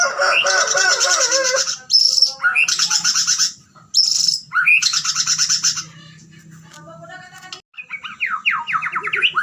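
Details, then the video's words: Fighter-style White-rumped shama song with loud bursts of dense, buzzy, harsh warbling broken by brief pauses, then a quieter stretch and a close of quick rising whistled slurs. "Murai Gacor Fighter Bongkar Isian Gaya Sujud"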